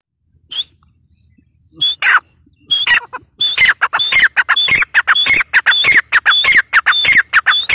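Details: Grey partridge (teetar) calling: after a few scattered notes, a fast run of loud, harsh, rhythmic phrases begins, each with a high whistled element, repeating well over once per second in a quiet rural setting.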